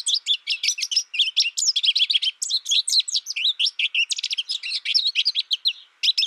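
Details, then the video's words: American goldfinch in a long, nearly unbroken stream of high, jumbled chirps and slurred twitters. The notes pour out quickly with varied pitch sweeps over about six seconds, and only a brief gap near the end. No other sounds intrude. "American Goldfinch Sound"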